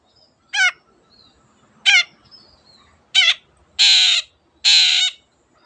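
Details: Shrike (cendet) calling loudly to prompt other birds to sing: five separate grating, nasal squawks spaced about a second apart, the last two broader and noisier, with faint soft chirps between them in a quiet background.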